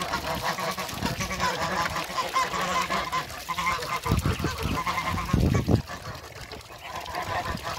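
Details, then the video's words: Four ducks meeting three Pekin ducks; coarse, nasal, honking quacks in overlapping bursts, then a loud thump and splashing near the middle, then quieter calling. "MEETING FOUR DUCKS FRINGO & THREE BEKIN DUCKS"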